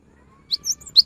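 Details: Cinereous tit song played to prompt silent birds to start singing: three brief high chirps, a sharp note, a slurred whistle, then another sharp note, over a quiet background.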